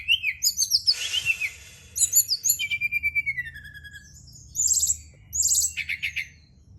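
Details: Brown-chested jungle flycatcher singing on a night-time stimulation track: quick repeated whistled notes, a brief rough noisy burst, a falling series of sweet notes, then two strong rattled phrases.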